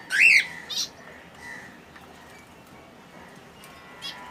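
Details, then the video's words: Finches recorded in their natural habitat: a loud, harsh squawk that rises and falls opens the recording, followed by a short buzzy note and a few faint, scattered chirps over a quiet hiss. "Enjoy the Serene Sounds of Finch Birdssong || ফিন্চ পাখির শব্দ || ফিন্চ পাখি কেমন করে ডাকে"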